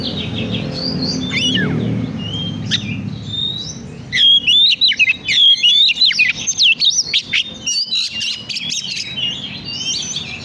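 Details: Oriental magpie-robin lure song to stimulate birds: scattered whistles over low noise, then a loud dense run of rapid chirping and twittering phrases.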